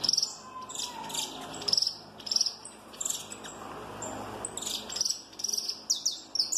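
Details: Peruvian saffron finch of a giant mutation sings loudly in a crackling style. Bursts of very high, rapid trills and sharp chips come every half second or so over a steady background hiss.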